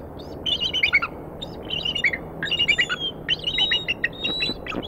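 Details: Eagles at a nest in Decorah, Iowa, 9:15 AM on 4 February 2019: the female and a strange eagle nearby call after the male brings mammal prey. Bursts of high, thin chirping notes in rapid stuttering runs, with a faint low hum.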